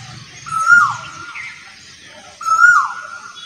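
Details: Asian koel singing: two loud whistled notes about two seconds apart, each held level and then dropping, over a quiet background.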